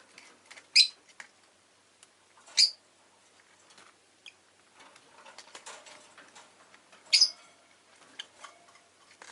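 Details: Pet rosy-faced lovebirds, including an orange one, in a home with faint street sounds: three piercing, harsh chirps spread across several seconds, separated by quiet rustling and light tapping.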